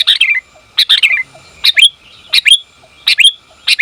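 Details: Female sooty-headed bulbul calling to the male: bright clustered chirps, each with a short descending slur, about five calls in four seconds.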